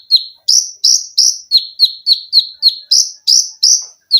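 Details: Singing Olive-backed sunbird (konin) kept as a cage bird, pouring out tight machine-gun notes: about three and a half high, sharp chips each second, flicking between upswept bright notes and lower falling ones.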